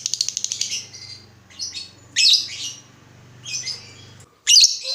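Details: Lovebird, a lure recording to make other lovebirds reply; a buzzy rattling burst, then scattered harsh squawks separated by pauses, over a low steady hum that stops near the end.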